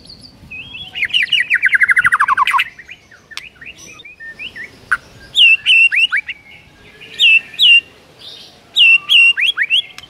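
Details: Morning song of a white-rumped shama with a rich mix of inserted phrases: a fast descending trill, then clear whistled notes in short repeated groups with brief pauses.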